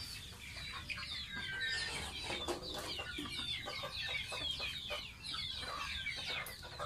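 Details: Domestic gosling kept as a pet in its bath: continuous chattering high peeps, many short and falling, overlap densely above a low constant hum.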